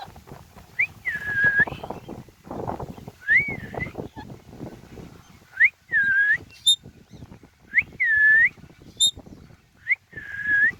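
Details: Rose-ringed parakeet chirping while having fun on a tree: loud, arched, whistled notes that rise and fall, repeated about every two seconds, with softer rustling and scratchy noises between calls.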